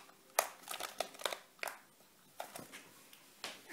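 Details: Active zebra finches indoors giving a handful of sharp, nasal, trumpet-like beeps, spaced unevenly with brief quiet gaps between the notes.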